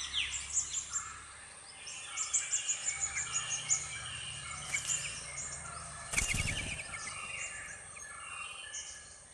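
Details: Red-whiskered bulbul parent feeding two young birds at a nest on private land. A busy run of quick, high chirps and twitters, then one loud knock partway through, all over a steady insect hiss.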